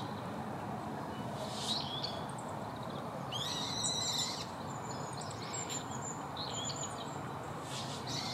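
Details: Male Siberian rubythroat, identified by its red throat, giving short, high scratchy phrases and thin whistles in scattered bursts over a steady roar of wind or distant surf.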